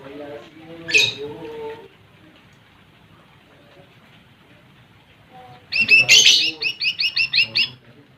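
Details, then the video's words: Lesser green leafbird song used to provoke rival birds: a short high burst near the start, a quiet gap, then a rapid run of about eight loud, bright, ringing notes, with faint lower tones underneath. "SUARA Cucak Ijo Mini | Pancing Emosi Burung Lawan"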